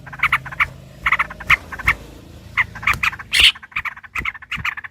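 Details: Yellow-vented bulbul in a combative, long rapid-fire song of the style called ropel panjang, used as a lure to make other bulbuls sing: scratchy chattering notes in short clustered bursts with brief pauses, one louder harsh note near the end.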